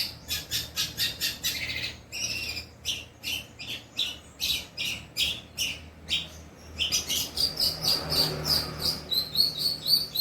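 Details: Long-tailed shrike singing imitations of 'kuntilanak' and 'greja petir': a rapid stuttering series of rasping notes, several per second, then a stretch of thin repeated whistles.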